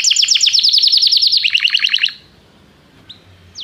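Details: Canary singing to call a companion during song training: a dense rapid trill of repeated falling notes for two seconds, followed by quiet with two faint single chirps.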